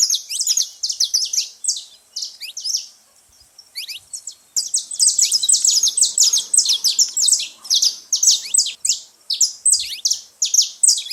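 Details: At a seed feeding spot, a lot of saffron finch noise: a quick chattering run of high chirps, a short lull, then a long unbroken stretch of sharp overlapping tweets.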